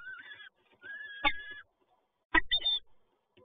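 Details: Peregrine falcon at PGE Toruń in Poland, 7 May 2022, during the male's latest prey delivery: two drawn wails followed by short chattering notes, with two heavy thumps between them.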